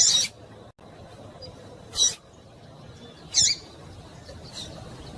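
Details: Female double-collared seedeater, calling to stimulate a male: three loud, short, high chips spaced more than a second apart over low steady noise.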